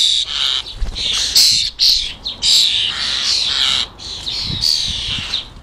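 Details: Fledgling European starlings being fed in a UK garden give harsh, buzzy, rasping begging calls in near-continuous bursts, with brief gaps and low thumps in the background.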